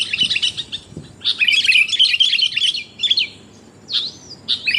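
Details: Female sooty-headed bulbul calling the male, used to lure birds: bright, bubbling chirps run together in lively bursts, then short rising and falling whistled notes with brief pauses between them.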